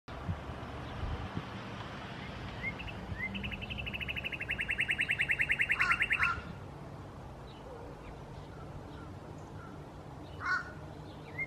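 Northern cardinal singing a fast, even trill of clear notes that swells louder over three seconds, then a few short slurred whistles over a steady background hiss.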